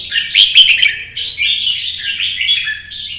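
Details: Red-whiskered bulbul kept as a pet songbird, singing solo in early-morning sun in competition style, used to stir other birds. Bright warbled phrases run together with slurred whistles and a few sharp clicked notes, with a faint low hum behind.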